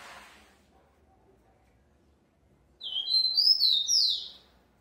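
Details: Captive-bred Rufous-collared sparrow gives one short song of a few clear, high, slurred whistles that drop in pitch over about a second and a half, after a quiet pause.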